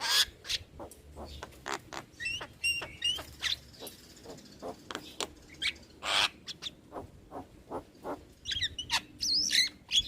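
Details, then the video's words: Starling on a recording meant to make young birds sing more: a steady series of sharp snapping clicks with scattered whistles, then a busier burst of squeaky, rising notes near the end. "Masteran Burung Jalak Muda / Jalak Malas Bunyi Rutin Putarkan Agar Jalak Jadi Gacor"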